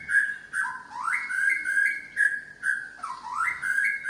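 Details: White-rumped shama of the Medan type showing its imitated repertoire: clear whistled phrases that slide upward and hold level, repeated roughly every half second in a steady, looping pattern.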